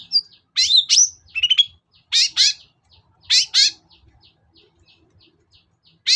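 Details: Long-tailed shrike lure sound, aimed at getting a silent caged cendet to sing: twisting whistled notes, then loud grating, buzzy bursts repeated at intervals of about a second.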